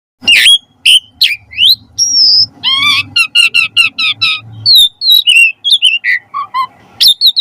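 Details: Asian pied starling song used as a training recording for caged birds: a rapid varied mix of whistles, harsh buzzy notes and chattering trills, with low rumbling notes underneath in the middle section.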